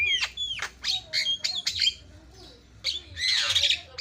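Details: Javan myna giving quick chattering song: a handful of sharp swooping whistled notes and squawks, a brief lull, then a long harsh rasping squawk.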